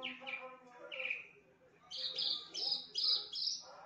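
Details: Captive Horsfield's (Javan) bush lark, a mimic of many other birds' songs, singing a varied, loud song: a nasal, mewing phrase rich in overtones, then bright high chirps repeated about twice a second.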